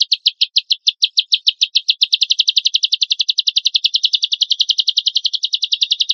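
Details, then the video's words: Lovebird song played to provoke other lovebirds into singing, a long run of sharp, high chirps that speeds up after two seconds into a fast, steady rattling trill. "PANCINGAN AMPUH LOVEBIRD GACOR"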